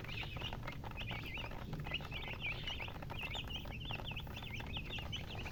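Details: Many chickens chirp together in rapid, high, bending notes that tumble over one another without pause, set against a constant low background hum.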